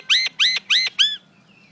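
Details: Common myna (Acridotheres tristis) calling: four loud, harsh arched notes in quick even succession, then quiet.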